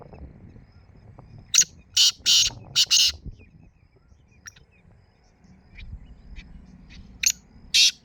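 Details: Black francolin heard in the early morning giving a rhythmic series of loud, harsh scratchy notes, then quieter isolated clicks and a final pair of rasping notes over a low rural background.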